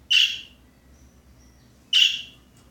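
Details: A budgerigar makes a strange noise while going to the top of its cage: two harsh, buzzy squawks about two seconds apart.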